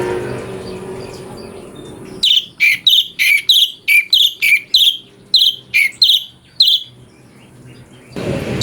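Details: Cucak cungko (chestnut bulbul) song variation used as a master for training magpie-robins: about a dozen short, bright whistled notes in a steady repeated series after two seconds of quiet hum, then silence.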